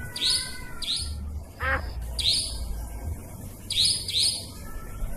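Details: Nightjar lure recording for trapping, said to work by day or night: sharp, high, buzzy calls in pairs, repeated roughly every one to two seconds, with one lower, descending, wavering note near the middle over a faint low hum.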